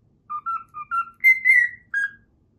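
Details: Short phrase of the Pythagora Switch opening theme whistled by a pet cockatiel: four brief level notes climbing gently, then two longer, louder falling whistles and a final lower note.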